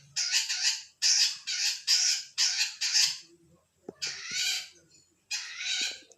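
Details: Long-tailed shrike singing actively, a run of five quick grating rasps in a row followed by two longer, drawn-out harsh screeches.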